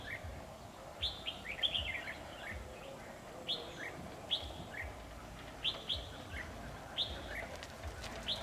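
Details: Decoy red-whiskered bulbul at a trapping site on 7 October 2019 sings repeated whistled phrases of two or three bright, dropping notes, spaced by brief pauses, with light background noise.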